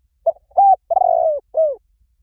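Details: A spotted dove's full cooing phrase for luring doves: a brief coo, a level note, a long vibrating coo sliding down, and a closing arched coo that falls away. Quiet background.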